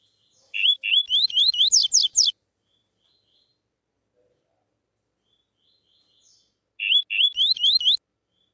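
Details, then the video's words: Double-collared seedeater singing the pure "tuí tuí" deep song, used as tutoring for young birds, in two quick phrases of bright upslurred chirps that climb and speed up, several seconds apart. "COLEIRO tuí tuí Puro Canto GROSSO ENCARTE para Filhotes e Pardos"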